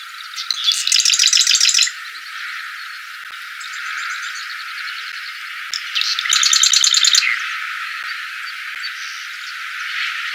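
Marsh Wren giving two rapid, dry, buzzy rattles, each a machine-gun burst of high clicking notes lasting about a second, separated by several seconds of quiet.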